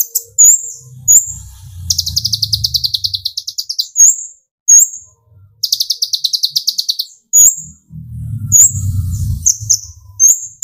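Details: Kolibri ninja sunbird singing to provoke other birds. Long chattering runs of rapid high buzzy notes are broken by thin piercing whistles. Low rumbling background noise comes in twice.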